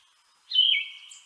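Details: Yellow-throated Vireo song: one short, hoarse, burry phrase that slurs downward and holds, much raspier than other vireos, with a scratchy, sore-throat, voice-cracking quality ("here I am, over here").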